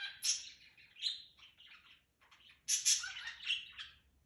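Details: A pet cockatiel singing and dancing in the morning gives two bursts of bright, chattering chirps and warbles with short whistled notes.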